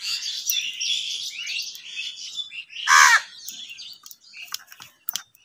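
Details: Crow; call; aggression while competing for food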